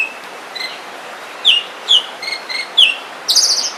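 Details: Forest song of an Oriental magpie-robin: soft whistles, then clearer downslurred whistled notes spaced about half a second apart, ending in a high buzzy burst, over constant hiss.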